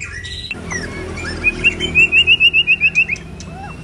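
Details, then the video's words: White-rumped shama while moulting, pipe-tobacco song style: a quick, even trill of about ten crisp notes at high pitch over a steady background hiss, ending with a few soft notes. "Choè lửa đang xuống lông kéo thuốc Lào phê tít"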